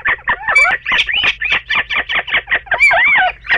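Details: Two little owls together in a bedroom, recorded 29 March 2013, giving a dense run of harsh, squealing and chattering calls that overlap and repeat several times a second.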